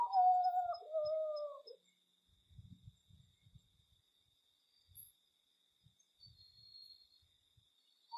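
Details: Common potoo (Nyctibius griseus) singing in nature: two whistled notes in the first two seconds, the second lower and sliding down. Faint low rustling and thumps follow, with a thin steady high tone in the background.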